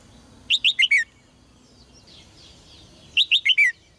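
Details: Caged red-whiskered bulbul, song played to excite males into loud singing: two rapid phrases of four sweet, downward-slurring whistles each, separated by about two seconds of soft background chatter.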